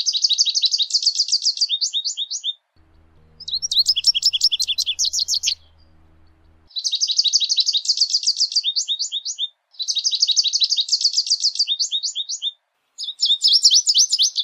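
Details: Singing American goldfinch in nature delivering long, dense phrases of fast, high, chattering trills and bright twitters, roughly four notes a second, separated by short gaps; a soft low hum briefly in the background.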